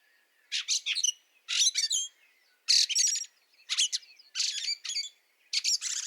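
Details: Fieldfare in snow at Liepāja, Latvia, March 2023, repeating coarse, squawking chatter bursts about once a second, each a cluster of two or three grating notes separated by silence.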